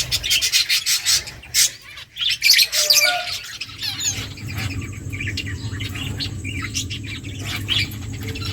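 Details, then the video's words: Several finches feeding, giving loud, clipped chirps in quick bursts at the start, then softer scattered twitters over a constant low background hum. "Beautiful finches eating food birds chirping sounds"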